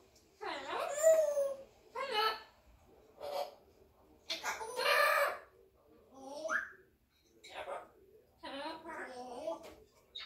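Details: Red-tailed African grey parrot, a 20-month-old pet, talking at home: a run of voiced, speech-like syllables with wavering, harmonic tones, some sliding upward, in short bursts across about ten seconds.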